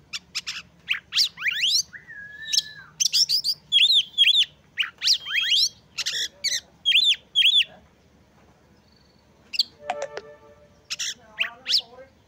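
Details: Oriental magpie-robin (kacer) in full song to provoke other magpie-robins into breeding condition and singing; rapid sequence of sweeping whistles, arched repeated phrases and a low curved whistle, then quieter scratchy notes and a brief clicking sound near the end.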